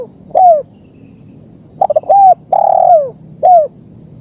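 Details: Spotted dove (terkukur) in a recording made for training birds and luring wild ones. It gives soft, low coos: a stuttering start, then drawn-out notes that drop at the end, repeated in a short phrase over faint background noise.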